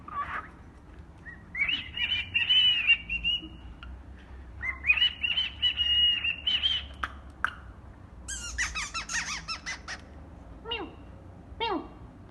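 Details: A pet cockatiel that both talks and sings whistles sustained, wavering phrases, then breaks into quick, bright chirps and squeaky notes.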